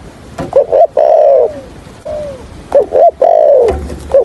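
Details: Spotted dove decoy bird used for trapping, giving its call and stuttering coo in the 'thổ' voice style: short hooked coos near 600, then long loud slurred coos that fall at the end, in two bursts, recorded close.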